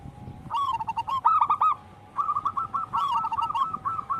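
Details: Zebra dove of the wild local strain, recorded as a lure and tutor: quick stuttered coos with a louder rough burst in the middle, a short silence, then a steady rippling series of clipped notes.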